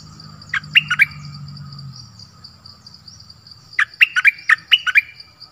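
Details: Streak-eared bulbul sings a short group of three bright chirps, then after a pause a longer string of about seven quick, sharp notes; low rumble early, a steady high whine behind.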